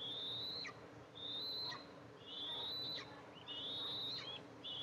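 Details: July 14, 2024 nest camera recording of Eastern imperial eagles as the mother arrives to feed two eaglets; loud drawn-out high whistles, each gently rising and ending with a quick drop, four in five seconds.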